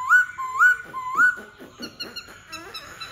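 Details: White-browed laughingthrush giving three loud, ringing upslurred whistles about half a second apart, followed by quieter chattering and mixed, jumbled notes.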